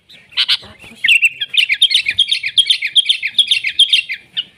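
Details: Sooty-headed bulbul singing actively in nature, a recording meant for training and luring bulbuls: a couple of sharp chirps, then a fast, dense run of bright chattering notes lasting about three seconds.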